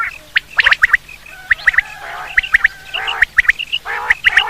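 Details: Quail call for hunting: quick triplets of sharp, clipped whistled notes repeated through the clip, broken by a few harsh nasal rasps, over a low steady hum.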